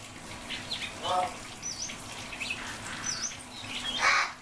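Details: Hill myna calling its friend by name, giving a mix of short high chirps and squeaky notes with a voice-like syllable near the start and a louder harsh burst at the end, over steady low background noise.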